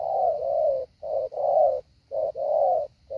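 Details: Spotted dove used as a decoy for training, giving loud low coos around 500–800, a short note then a longer drawn-out coo, repeated roughly once a second with brief gaps.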